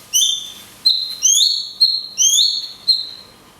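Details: Cungkok in the "tembakan kunti panjang" style, with natural pauses, used as a training recording for songbirds: clear whistled notes, some rising and some level, given in quick pairs and sounding pure and high.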